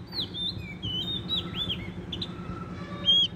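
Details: A wild-caught forest Oriental magpie-robin sings vigorously: a rich, fast run of varied whistled notes, slurred up and down and high-pitched, over a low background hum.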